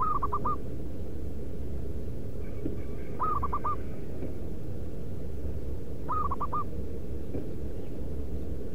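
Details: Local zebra dove, wild perkutut, calling as lure audio for wild birds: three brisk phrases of rapid, pulsed cooing notes, each about half a second long and repeated roughly every three seconds, with low steady rumble beneath.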